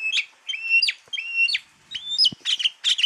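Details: Oriental magpie-robin from Java singing: repeated sharp whistled notes with long level tones and downward slurs, followed by denser buzzy chattering phrases.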